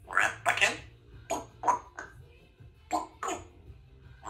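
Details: A female Congo African grey parrot kept in a country home, practising her words and sounds: a string of raspy, speech-like syllables and short mimicked phrases in uneven bursts, with brief pauses between them.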